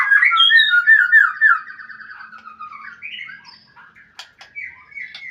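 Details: White-rumped shama calling a rival: loud rich whistled phrases at first, sliding and warbling around the middle range, then a long descending trill that fades into softer scattered notes and sharp clicks.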